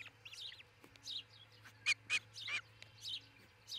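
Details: Osprey pair at their new nest in Charlo, Montana, recorded by a nest camera in the early morning of 22 June 2018: a few loud, sharp chirps in quick succession over high, thin songbird notes.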